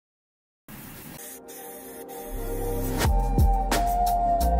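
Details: Music with sustained low tones and steady mid-range notes, gradually growing louder, with a few sharp percussive hits and no animal voices.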